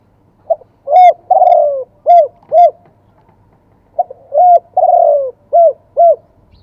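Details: Spotted dove in full wild-type song, two-kuk style, repeated twice: a quick lead note, a strong short coo, a drawn-out falling coo, then two clipped arched coos, loud and close.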